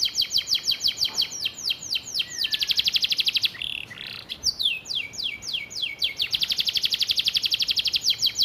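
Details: Canary filled with house sparrow-style phrases, a master song for tutoring other birds: rapid series of bright descending notes, slowing into wider sweeps near the middle, then a dense fast rattle to the end.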